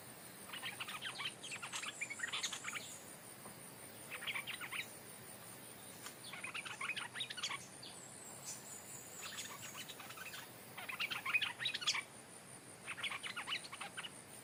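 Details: Caged stripe-throated bulbul, a decoy that had never entered the forest, calling back at its former home now held by a new territorial bird. Repeated bursts of bubbly chatter come every two seconds or so, about seven phrases.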